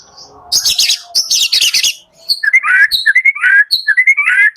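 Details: White-rumped shama song used in the morning as a lure to stir shamas that are slow to sing: a burst of dense, high buzzy chatter, then clear whistled notes rising and slurring, repeated in quick phrases.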